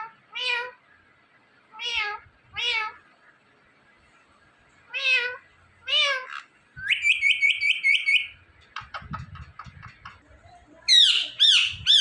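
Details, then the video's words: Pet Indian ringneck parakeet mixing cat-like meows and words: several harmonic meow phrases, then a long buzzy trilled whistle, rapid chatter, and loud looping shrill calls. "Indian Ringneck Parrot Talking Videos"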